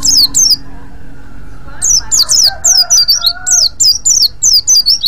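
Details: Luring ngriwik call of a white-eye aimed at other white-eyes: two high chirps, a short gap, then a steady rapid series of shrill downslurred notes about five per second.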